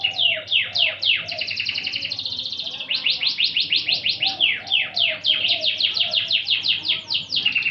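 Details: Loud canary song recorded as a master for magpie-robins, alternating strong rapid downward-sweeping notes with a dense, buzzy high trill, the syllables delivered in quick, even runs.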